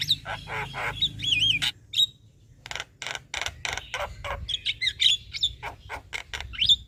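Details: Javan myna chattering as a master for training other birds: wavy whistled phrases and rasps at first, then a long run of sharp harsh clicks with scattered high whistles.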